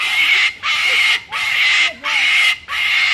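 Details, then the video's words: A talking umbrella cockatoo gives four loud, harsh, raspy squawks, each about half a second long, in a steady rhythm with brief pauses between. "Crazy Talking Umbrella Cockatoo Going Mad"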